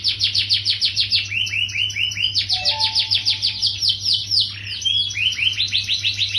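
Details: Singing yellow canary delivering long fast trills of rising chirps, a few low whistled notes mid-way, then a buzzy rolling phrase, over a faint steady hum.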